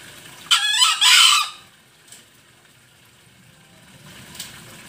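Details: Bali Green junglefowl used as a lure call: a single coarse, split crow, a short rasping note running straight into a longer buzzy one, then near silence with a faint click.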